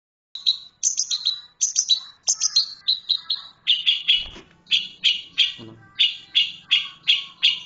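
Long-tailed Shrike giving harsh, scratchy high notes in quick clustered bursts, nearly three per second, with a couple of faint low knocks.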